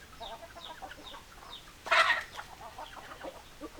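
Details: Hens clucking softly in a series of short, low-pitched notes, with a brief louder squawking burst in the middle before the quiet clucks resume.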